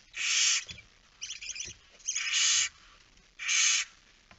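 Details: Barn owl chick alone at the nest, Friesland, Netherlands, evening of 9 September 2019: loud broad rasping hisses about half a second long, several in a row with softer broken chittering bursts between them.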